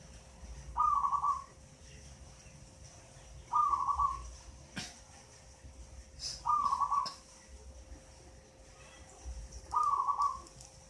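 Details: Eight-month-old local zebra dove, originally from a mango-tree nest, cooing diligently: four bubbling trilled phrases, each under a second, repeated roughly every three seconds at even pace, with a faint hum and occasional clicks behind.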